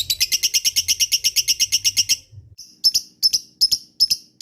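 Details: Lovebird sound used as a lure to draw other lovebirds into calling back: two seconds of rapid, bright ngekek chattering, a short pause, then separate sharp high chirps at uneven intervals.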